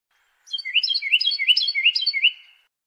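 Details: Carolina wren singing a rapid chain of about six loud, rolling two-part phrases, each sliding down in pitch, delivered evenly over two seconds against a silent background.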